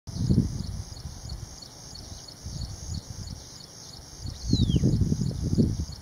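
Cinnamon Bittern giving low, hollow knocking croaks in short bursts, over a steady high insect drone, with a brief falling whistle from another bird.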